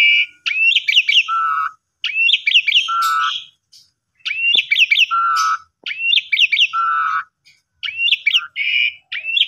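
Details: Asian pied starling song used to stimulate other starlings to sing, in phrases of rising whistles and rapid slurred notes alternating with low flat whistled tones, repeated with short pauses.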